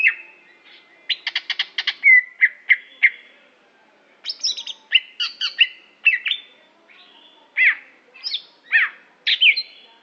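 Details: Aceh greater green leafbird delivering a rich mix of rapid clicking trills, high chirps and falling whistled notes, grouped in energetic bursts separated by short gaps.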